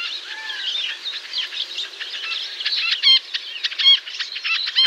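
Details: White-breasted nuthatch calls in North American woodland: loud, nasal, harmonic-rich notes in short bursts near the end, preceded by chattering from other birds.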